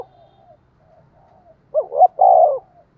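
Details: Decoy spotted dove in the 'thúc' calling style for luring wild doves; soft faint murmurs give way to a loud phrase of two rising stuttered notes and a long, throaty rolling coo near the end.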